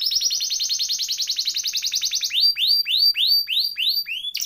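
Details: Canary (kenari) song used as masteran to stimulate other songbirds: a rapid even trill of short repeated notes, then slower separate arched whistles, roughly four per second.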